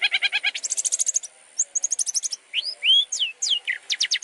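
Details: Long-tailed shrike song for training birds, beginning with a fast regular stuttering trill, then sweeping slurred whistles rising and falling, ending in quick repeated ticks.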